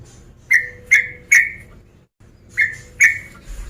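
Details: Male sooty-headed bulbul giving rival-provoking calls: five short, clear chirps that drop slightly in pitch, in two groups of three and two, each spaced under half a second apart, with a quiet pause between groups.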